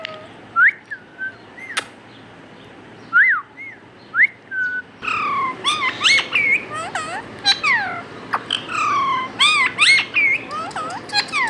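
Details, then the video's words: Talking pet parrot mimicking words: a few short, clear rising whistles, then a rapid run of bright, arching and swooping tonal notes with overtones, some clipped and squeaky, in a quiet room. "Adorable Talking Parrot"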